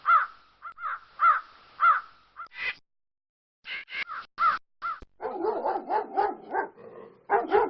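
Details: Crow cawing: harsh, nasal caws, first four delivered singly about every half second, then a brief pause and a burst of quicker, rougher caws running together toward the end.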